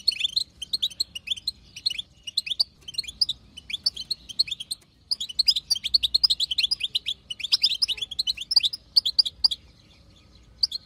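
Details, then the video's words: Wild female European goldfinch giving lively chatter intended to prompt a male to sing: near-continuous high tinkling twitters with rapid buzzy trills, a short lull around the middle, then an even denser burst. "بتبتة حسون خلوي تهبل الحسون تخلي يغرد غصب عنو"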